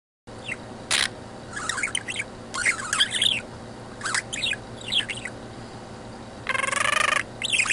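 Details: Pet budgerigar, a male budgie, chattering indoors to his owner: scattered warbled chirps and rising-falling squeaks, a few clicks, and a brief harsh buzzy burst near the end, over a low steady room hum.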